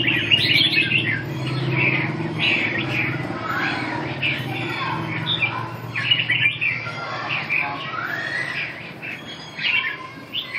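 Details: Red-whiskered bulbul (chào mào) training session recorded 2 June 2012: scattered warbled and squawky phrases over a steady low hum, with some harsh notes, uneven pauses and a louder burst near the end.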